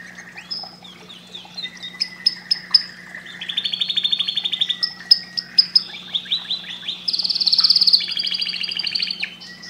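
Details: Loud, clear canary song used to stimulate breeding: varied high whistled phrases, fast rolling trills at several pitches and sharp repeated chips follow one another without pause, over a faint low hum.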